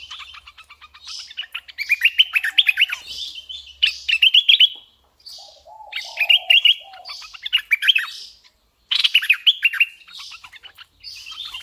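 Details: Decoy red-eyed bulbul in a lively song: repeated rapid phrases of chattering, warbled whistles, each a second or two long with short pauses, plus some lower soft notes between phrases.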